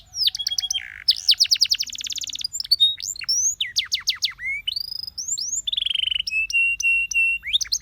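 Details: Singing canary, its song used to get other canaries singing, delivers a continuous medley of fast rolling trills, steep rising whistles and long level tones, ending in a steady buzzy rattle and a final whistled flourish.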